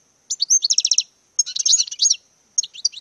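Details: European goldfinch in courtship display singing a quick run of repeated slurred notes, then a tangled burst of twitters and a few closing chirps.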